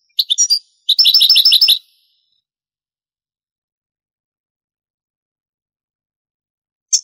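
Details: European goldfinch singing in the Granada style, from an old Spanish cassette of the 1980s–90s transferred to CD: a short burst of bright high twittering and a quick run of repeated metallic notes, then silence with one faint note at the end.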